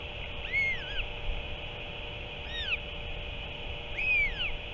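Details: Northern royal albatross at the nest on 7 March 2024, as an adult returns and feeds the chick octopus. Three loud arched, whining whistles rise and then fall, spaced roughly 1.7 seconds apart, over a steady background hum.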